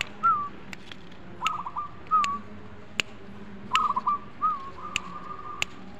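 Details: Zebra dove singing: a series of short whistled, slightly trilled coos around a steady mid pitch, given in phrases about a second apart, with sharp clicks and low background hum.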